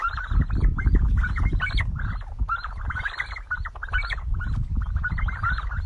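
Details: Sandgrouse drinking water: a flock gives overlapping short, throaty, chuckling calls, about three each second, over a steady low rumble of wind.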